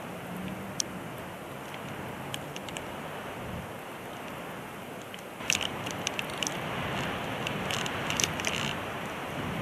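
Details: Steady hiss with scattered sharp clicks and crackles, growing busier in the second half, and no animal calls.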